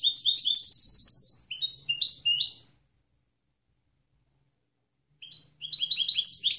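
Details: European goldfinch clean song recorded for training other birds to sing: bright, liquid, fast twittering phrases of tinkling high notes, a pause of about two seconds, then another twittering run, with no other noise.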